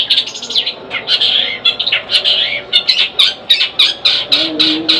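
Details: Long-tailed shrike kept as a pet, delivering a loud, busy song of scratchy warbles and quick chirps, rhythmic pulses roughly every second, over faint background hum.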